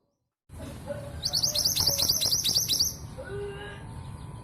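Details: Female long-tailed sibia from East Java, Indonesia, singing as a lure to get silent males to sing: a fast, very high chattering trill of about four notes per second for two seconds, followed by a few soft low whistles.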